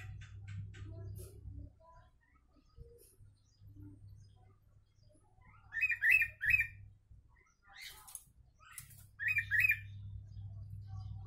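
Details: Sooty-headed bulbul singing Javan myna mimicry for use as a training recording: after a quiet start, lively whistled double phrases arrive at around six and nine seconds, separated by sharp clicks, over a low humming background.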